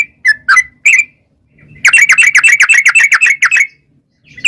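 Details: Yellow-vented bulbul lure song of the rapid 'ropel' style: three separate slurred whistles, a short gap, then a fast chattering burst of about a dozen bright notes, then silence.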